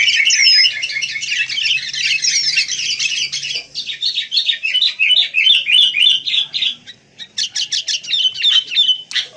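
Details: Sooty-headed bulbul, wild, pouring out dense chattering song: fast overlapping high notes at first, then rhythmic quick chirped phrases with a few sharp clicks toward the end.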